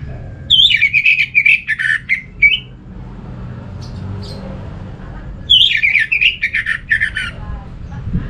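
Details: Orange-headed thrush from Singaraja, North Bali, sung as a lure for other thrushes: two rapid, rich phrases of tumbling chirps and whistles, each about two seconds long, separated by a quiet gap.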